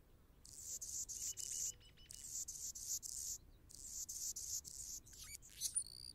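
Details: Anna's Hummingbird perched on a branch sings scratchy, buzzing phrases of about a second each, very high and insect-like, ending in thin rising and falling squeaks.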